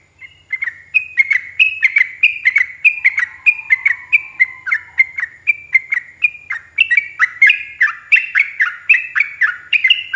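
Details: Yellow-vented bulbul giving a long, rapid "ropel" run of bubbly, chirping notes, about two or three each second, with faint high ticks between, used as a master recording to provoke other bulbuls into replying.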